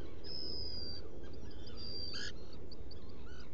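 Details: Black guillemot nesting in a burrow on Seal Island NWR, Maine, 30 June 2018, night hours; long high whistles, then a brief harsh burst and several short high pips, over steady low-pitched noise.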